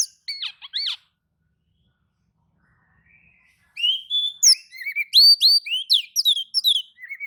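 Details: Oriental magpie-robin answering another magpie-robin's song, with brief whistled notes, a pause, then a rich run of clear rising and falling whistles and chattering phrases delivered rapidly.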